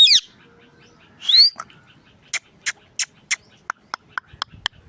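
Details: Indian ringneck parakeet talking and making sounds: two sharp rising squawks, then a run of quick clicking notes repeated about twice a second, growing faster toward the end.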